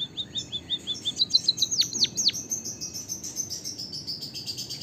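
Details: Javanese white-headed munia song mixed with canary song, meant to get other birds singing: quick repeated high chirps, a cluster of long, steeply falling notes, then a blurred, continuous high twittering.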